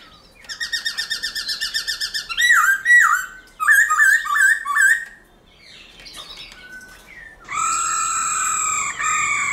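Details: Black-throated laughingthrush forest-style song: a fast run of repeated clipped notes, then bursts of jumbled whistled and chattering phrases, a quiet gap, and finally steady, rich, drawn-out whistled tones.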